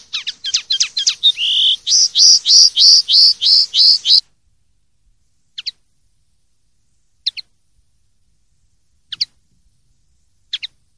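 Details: Linnet clean song, called pardillo limpio in silvestrismo, recorded for a 2023/2024 collection: a loud rush of varied twitters leading into a steady run of slurred, repeated notes for four seconds, followed by scattered single high chips separated by long pauses.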